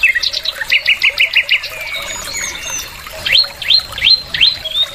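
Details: An adult sooty-headed bulbul sings a quick run of bright chirping notes, then a series of clear, rising whistled sweeps repeated about twice a second.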